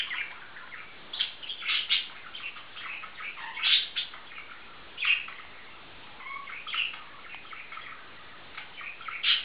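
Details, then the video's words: A bonded pair of male budgerigars chatter continuously, a dense run of squeaky warbles, clicks and sharp chirps rising and falling in quick succession throughout. "Zamilované andulky"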